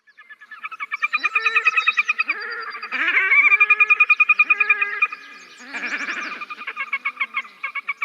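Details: A red-necked grebe gives its whinnying call, several bouts in eight seconds of loud, harsh phrases of rapid pulsed notes that rise and fall like a distant braying donkey. The call is heard over large marshy waters, especially in the evening.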